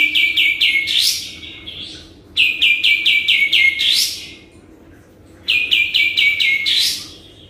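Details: Sooty-headed bulbul singing actively, used as a lure to make other birds answer: three bursts of six quick bright notes, each dropping slightly, ending in a sharp rising sweep, with pauses of about two seconds between bursts.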